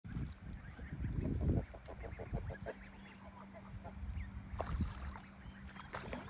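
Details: Curious, dancing ducks on a farm give a burst of short, nasal quacks in quick succession, then scattered single calls, over a steady low hum and background rumble.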